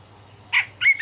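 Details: Grey-cheeked bulbul song for training songbirds: one harsh, rasping note, then a bright whistled phrase that rises sharply at the end.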